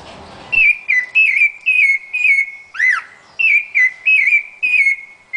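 Rufous-bellied thrush song: about ten clear, fluted whistled phrases at a steady mid-high pitch, with one lower swooping note midway. A brief noisy rustle comes first.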